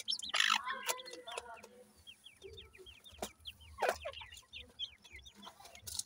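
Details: Grey francolin chicks, fluffy young being raised by their parents; a quick run of thin, high, down-slurred peeps repeated several times a second, with scattered soft lower clucks and brief rustling bursts.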